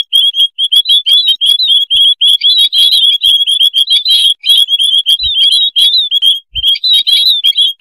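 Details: A noisy colony of white-headed munias (Lonchura maja), used as a lure call, gives thin, high, overlapping peeping notes, chattering almost without pause, with a few faint clicks.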